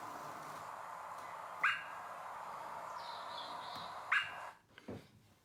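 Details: American robin gives two short, clipped 'tut' alarm notes about two and a half seconds apart, meaning something is wrong, perhaps a predator or another bird in its space, over a steady hiss and a faint thin whistle.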